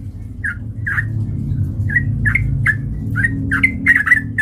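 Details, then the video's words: Male sooty-headed bulbul lure song for provoking a fight: spaced bubbly whistles at first, then quickening into a rapid chatter at the end, with a steady low rumble underneath. "PANCINGAN trucukan gacor TARUNG MENJADIKAN burung trucuk gacor NYAMBAR"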